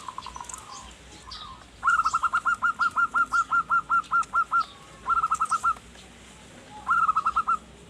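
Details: Zebra dove song used to lure wild forest birds: rapid runs of short, clipped, even-pitched coos, one run of about fifteen notes and shorter bursts of five, with faint chirps of other birds behind.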